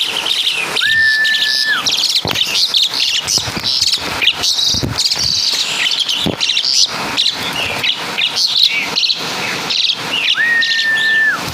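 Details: Asian pied starling of Javanese origin, singing a full imitation of kapas tembak and caladi birds: dense, fast high chirps and trills, with a long, steady, flat whistle near the start and again near the end.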